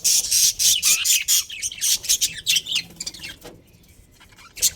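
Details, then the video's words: Chattering budgies from a breeding colony, a rapid run of high chirps and squawks for about three seconds, then near quiet before a last burst. "Cute Budgies Chirping Sounds"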